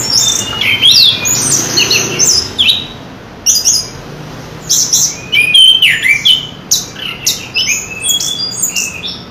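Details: Chestnut-capped thrush (Geokichla interpres) sings a rich, varied song of rapid whistles, trills and swooping high phrases in bursts, with faint background hum.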